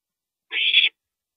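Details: One coarse, hissing screech of about half a second from an owl parent visiting the nest at 2:40 AM on April 22, 2012, surrounded by silence.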